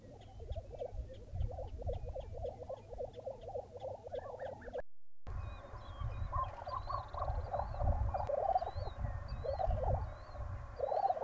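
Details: Lesser prairie chickens on a ranch near Buffalo, Oklahoma, 2009, early morning: many birds give overlapping mid-pitched bubbling, cackling calls, with higher thin whistled notes from other birds above and a steady low rumble beneath.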